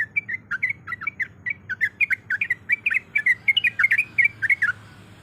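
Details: Female sooty-headed bulbul in breeding condition calling to a male, used as a lure: a rapid string of short, chattering squeaky notes, roughly four to five per second, with a faint low hum underneath.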